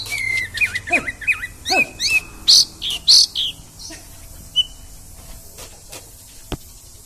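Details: Oriental magpie-robin, konslet song style: clear whistled notes bending up and down in quick succession, then loud harsh squawky bursts and a single sharp high whistle before quieter scattered chips.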